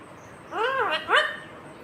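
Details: An Indian ringneck green parrot utters two quick speech-like syllables. The first arches up and down, and the second rises sharply, sounding like a short spoken word.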